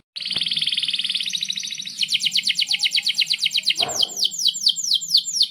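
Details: Canary in full song, a long rolling song used as a tutor for young canaries learning to sing: a high buzzy steady trill shifts into a faster trill of sharp downward-sweeping notes, with a low hum beneath.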